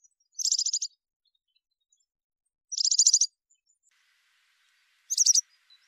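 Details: Male Atlantic canary giving three brief, high, rattling trill bursts, each about half a second long and spaced a couple of seconds apart, with silence between.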